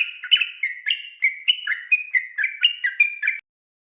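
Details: Yellow-vented bulbul giving night-time ropel song meant to teach other birds: a continuous run of liquid, alternating high and low whistled notes, around four per second, ending abruptly.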